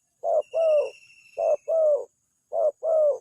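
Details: Spotted dove cooing as a trapping lure that brings quick replies: three low, mellow double notes, a clipped first syllable then a drawn-out second, with a thin high whine faintly audible.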